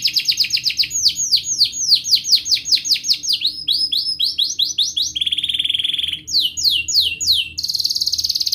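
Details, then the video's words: Continuous canary song used as a lure to teach young canaries to sing and restart silent ones: rapid falling whistled notes turn into quicker rolling trills, then a steady buzzy trill and a final bright ringing roll, with a faint background hum. "Kenari GACOR Panjang Ngelagu | Ampuh untuk pancingan Kenari Paud belajar Bunyi & Kenari MACET Bunyi"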